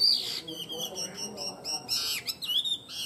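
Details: Tame Chinese hwamei song in brief, high, sharp whistled notes and short buzzy bursts, separated by pauses.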